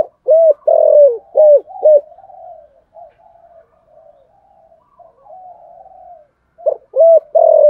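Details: Spotted dove singing in the thổ voice style, a calling song with a two-note ending, stirring wild doves: clear low coo phrases open and close the clip, with soft murmured gù notes between.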